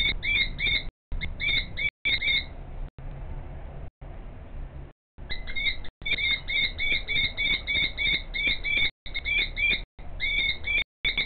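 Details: Female common kestrel calling in the background while the male shuffles out a nest scrape in front of her; rapid series of sharp, strained, downslurred notes repeated several times a second, with brief breaks, over low rumbling background noise.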